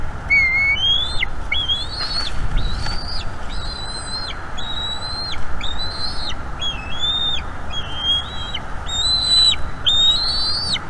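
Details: Bald eaglet at a nest in northeast Florida, calling a lot while being fed squirrel by its mother, series of thin high piping whistles, each note level or slightly rising, repeated about once a second over steady noise.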